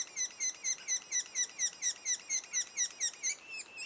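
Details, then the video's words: At a sapsucker nest two days before first fledging, rapid rasping notes repeat evenly about twice a second, each a quick falling chirp with shrill overtones, fading slightly at the end. "Sapsucker nest"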